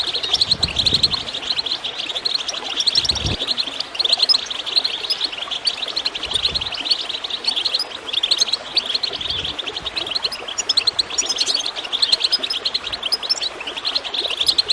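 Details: Extended goldfinch chirping intended to prompt singing in other birds: steady, dense chatter of bright, rapid tweets and buzzy trills, with gurgling water throughout and a few dull thuds.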